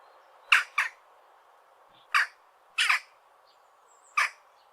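Western jackdaw giving short, sharp, slightly hoarse 'tchak' calls: a quick pair, then three single calls about a second or more apart, over a faint background hiss.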